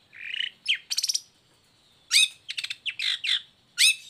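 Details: Long-tailed shrike singing as a lure for sluggish or moulting shrikes: a burry warble, then rattling stuttered notes and quick whistled upslurs, broken by a short pause and ending in a sharp chirp.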